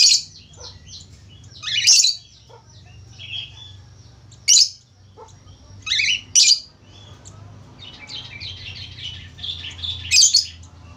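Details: Lively budgerigar warbling meant to coax other budgerigars into singing; loud, scratchy squawking bursts alternate with rapid, bubbling twittered chatter throughout, leaving little pause between phrases.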